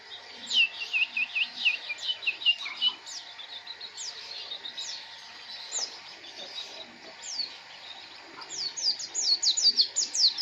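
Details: White-eye (pleci) singing a fast, high twittering song of short downward-sweeping chirps, delivered in uneven bursts with brief pauses and growing denser toward the end; faint low background rumble.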